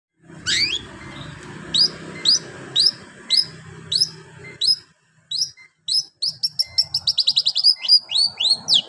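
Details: Long-tailed shrike singing a song that mimics a canary: sharp rising high whistled notes repeated about every half second, then a quickening run of rapid chirps, over low background rumble.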